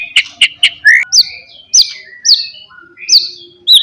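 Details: Provoking Pastol-type song of a white-rumped shama used to rouse rivals: three harsh rasping notes, then loud slurred whistles and buzzy phrases spaced about a second apart.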